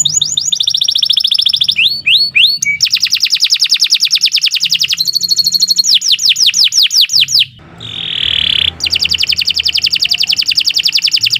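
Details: Canary song used as a long master recording to train captive birds to sing: loud, continuous rapid trills and rolling repeated phrases, high and bright, broken near the end by a short buzzy note before the trilling resumes.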